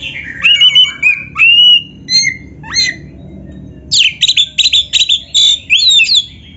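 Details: Oriental magpie-robin song used as a training recording for caged birds: clear whistled phrases, some sliding and wavering, then a fast burst of scratchy, buzzy notes mixed with high whistles, in short bursts with brief pauses.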